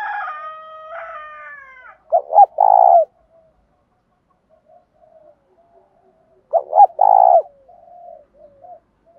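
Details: Spotted dove used as a decoy to stir others to fight, giving two three-part coos, a pair of quick notes and then a drawn-out rough coo, after an opening stretch of another drawn-out harmonic sound.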